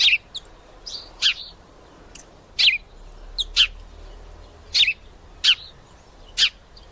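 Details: Male sparrow chirping loudly as two females tussle, sharp single and double notes at uneven intervals across seven seconds.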